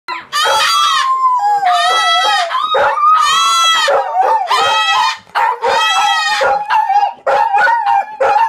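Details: Cockatoo screaming very loudly: long, harsh, strongly harmonic screeches, five main bursts each lasting about half a second to a second, separated by brief gaps, filling the whole recording.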